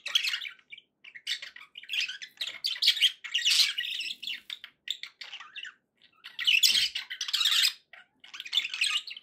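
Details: Pet budgerigars chattering in a steady warble of scratchy, buzzy bursts with short squawks, broken by brief pauses, nearly nine seconds of continuous high chatter.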